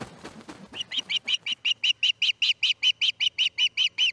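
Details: Fledging osprey chick at the Charlo nest, 6:03 am, August 10, 2018: after a flurry of flapping or rustling, high piping notes repeat evenly, roughly four per second, clear and loud.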